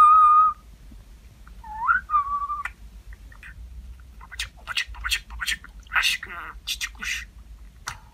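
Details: Talking pet budgerigar begins with a clear whistle and a wavering whistled phrase, then breaks into a run of quick, harsh chattering syllables with brief pauses, against a faint low hum.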